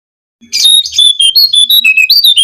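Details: Brown-cheeked fulvetta song for luring birds opens with a harsh, rushed burst, then a steady run of bright whistled notes at even spacing that dip and climb in pitch.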